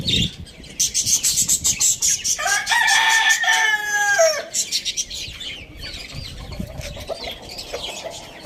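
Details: Rooster crowing in the morning at a farm village: one long harmonic crow, rising then held and falling at the end, over a background of rapid chirping from many small birds.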